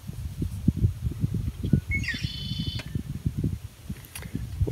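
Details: A Red-winged Blackbird, tentatively identified, sings near the water during a July 2017 sail-camping trip in the Florida Keys. A brief note leads into a buzzy, slurred trill of about a second, over lapping water and hollow thumps.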